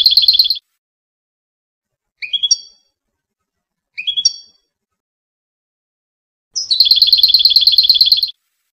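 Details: Tunisian European goldfinch song: a rich pulsing trill, two quick rising three-note chirp phrases, then a long, fast, ringing trill of rapidly repeated notes.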